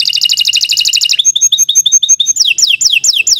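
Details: Canary singing a long song meant to teach young birds: a rapid rattling trill, then evenly repeated high level notes, then falling whistled sweeps about three per second.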